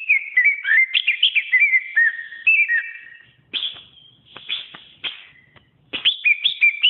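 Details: Greater green leafbird singing a model training song: a fast run of wavering, slurred whistles, then sharp clicks and short bursts, ending with renewed bright whistled phrases.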